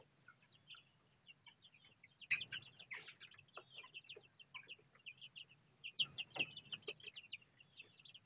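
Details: Four Bangkok game chicks, aged 1 month 26 days and hatched on 26 September 2013, give a steady stream of short, high, piping peeps that overlap one another.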